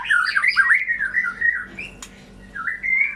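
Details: Brief white-rumped shama song used to stimulate birds gone silent: tumbling rich whistled notes rising and falling, a click, then a short rising whistle; background hum.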